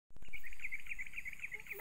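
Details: Bird singing in a rambutan garden: a fast, steady series of short, bright chirps about five per second, continuing throughout over a low rumbling background.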